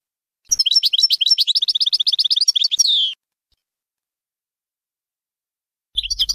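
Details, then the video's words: European goldfinch song used to train young birds: a steady run of evenly repeated bright chirps about three per second faster, closing with a buzzy descending slur; a new phrase starts after silence. "غناء حسون باينام غازرات لتعليم الفراخ"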